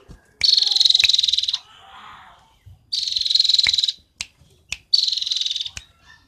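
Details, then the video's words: Cinereous tit (gelatik batu) from Roban, Subah, Batang delivering long fast buzzy trills of about a second each, three bursts with sharp clicks between and a soft low rumble. "Gelatik batu isian se abreg,super gacor"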